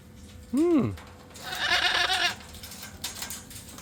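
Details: At a parrot rescue aviary during morning feeding of fruit, corn, chickpeas and blueberries, a parrot gives a brief lower squawk, then a harsh, raspy scream lasting about a second. A woman nearby tells it to be nice and says that's enough.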